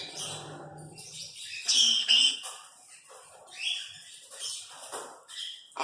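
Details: Pet talking African grey parrot, named as a fruit-naming talker: scattered sharp whistles and squawky high chirps in irregular bursts, with a low murmur at the start in a small room.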